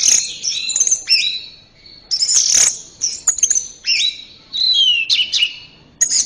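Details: Orange-headed thrush song for training caged birds: energetic, high-pitched phrases mixing sharp chips, downslurred whistles and mimic-like twitters, given in quick bursts with short gaps.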